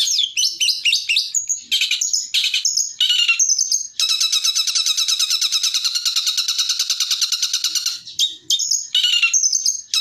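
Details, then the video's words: Long-tailed shrike song used for training other birds: varied high chirps and whistles, then a long, even trill of very rapid repeated notes lasting about four seconds, before the varied chirping resumes. "MASTERAN TEMBAKAN CENDET AUTO NGACOR"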